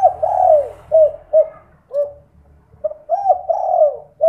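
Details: Spotted dove (derkuku) night lure call, 'kuk 2' style, played to get other doves calling; low hollow coos, a long drawn-out falling coo followed by short clipped coos, repeating with brief pauses.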